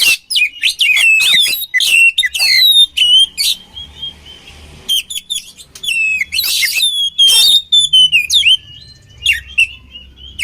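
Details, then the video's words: Long, rich oriental magpie-robin song used to train birds: loud varied whistles and rapid buzzy phrases, a quiet pause with faint notes, then more ringing whistled bursts trailing into a thin sustained whistle. "SUARA KACER KOMBINASI AMPUH UNTUK MELATIH MENTAL KACER"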